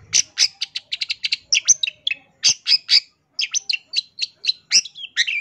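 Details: Long-tailed shrike in full, lively song packed with varied phrases, used as a master recording for training songbirds: rapid runs of sharp, high chirps and short whistled notes, quick buzzy bursts, nearly continuous with brief gaps.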